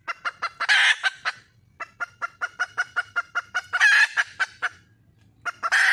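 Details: Calling for a male, a wild red junglefowl hen gives rapid chains of clipped clucks, close to seven per second, capped by loud scratchy squawks near the start, middle and end.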